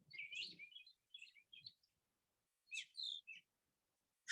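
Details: Brown thrasher (Toxostoma rufum), a mimic, sings from a treetop on a foggy, humid April morning in Georgia: bright, varied, high chirping phrases in short bursts with pauses, a faint low murmur at the start.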